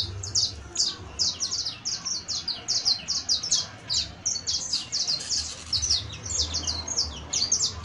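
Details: Saffron finch (canario criollo) in continuous song, a rapid stream of bright high chirps packed closely together, steady and energetic throughout, with faint low background hum.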